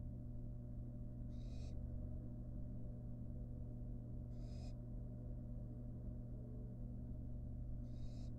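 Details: Fledgling barn owl, wild, in a research nest box while eating a rat. Three soft, short rasping hisses come at uneven intervals of three to four seconds, under a steady low electrical hum.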